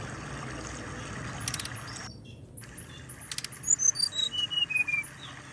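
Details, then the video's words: Brown-chested jungle flycatcher song, played to stimulate birds to sing: a cascade of about eight pure, evenly spaced whistled notes stepping steadily down in pitch, after brief edited gaps and a noisy background. "Suara Ini Bisa Membangkitkan Birahi Burung SRDC"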